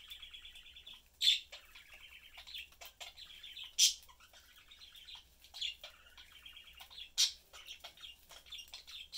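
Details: Pet budgerigar family of three, a blue father, a yellow mother and a youngster, chatting while eating; continuous warbling chatter with raspy twittering and loud sharp chirps about every two to three seconds.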